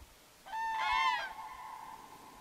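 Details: Common cranes, two pairs in a forest river valley calling to each other before joining to trumpet together; one loud rolling, bugling trumpet lasting under a second, trailing into a steady lingering tone.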